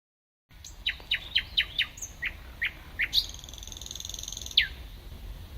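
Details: Thrush nightingale (Luscinia luscinia) at Sapokka, Kotka, 31 May 2014; the recordist was unsure of the species. It sings a phrase of about nine sharp, descending whistled notes at a quick, even pace, ending in a rapid high rattling trill and a final whistle.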